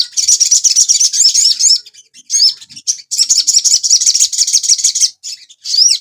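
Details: Sogon bird in a master recording for training caged birds to sing, with long stretches of fast, high-pitched twittering and slurred chirps broken by short pauses.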